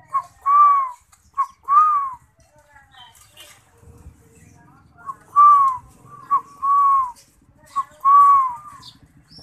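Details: Spotted dove (derkuku) in lively song repeats phrases of a short lead-in note followed by a longer, arched, hollow coo, about three phrases over nine seconds, with faint knocking and low rumbles between them.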